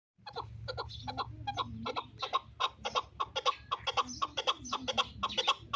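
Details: Fighting chukar partridge from Qubodiyon, Tajikistan, giving a long run of harsh, clucking chuk notes, about two per second, growing louder and more evenly spaced toward the end, over a low steady hum.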